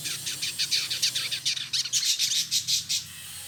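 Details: Male village indigobird, a caged bird in Bandung, West Java, Indonesia, produces a rapid, even run of high buzzy chips for about three seconds, close and loud.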